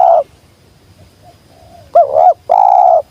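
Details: Wild spotted dove said to come straight down, giving a sweet 'jergot' call: a short low coo, a pause, then a doubled rising-falling coo and a longer steady coo.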